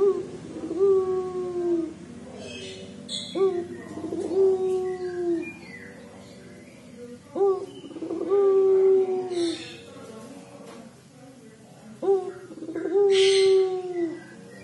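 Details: Repeated 'crying' coos of a collared dove, known locally as puter pelung: each phrase opens with a quick rising stroke, then holds a long, low, gently falling note, phrases returning every few seconds, with faint chirps behind.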